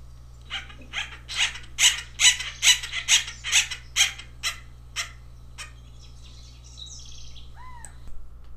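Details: Acorn Woodpecker in winter at North Mountain Park, Ashland, Oregon, calling from trees beside a trail: a rapid run of about eleven harsh, nasal calls, just over two per second, swelling then fading; faint chirps and a brief whistle follow.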